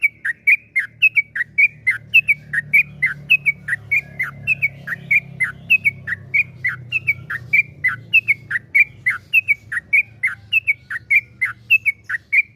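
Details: Yellow-vented bulbul in long 'ropel panjang' song, used as a lure to set other bulbuls singing: an unbroken stream of crisp downslurred whistled notes, roughly three a second, over a faint low background hum.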